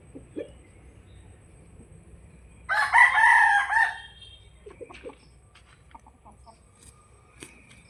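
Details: Native desi rooster kept at home gives one loud, harmonic crow lasting over a second, rising and then falling, with faint scattered clucks and small background noises before and after.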